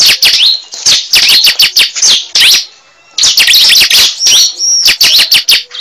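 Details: Cible bird calling for luring: dense volleys of sharp, high chirps and swooping notes, broken by a one-second silence before resuming just as energetically.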